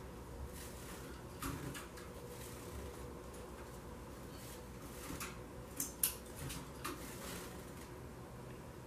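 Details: A faint indoor background holds scattered clicks, taps and knocks over a low hum, with no animal voice.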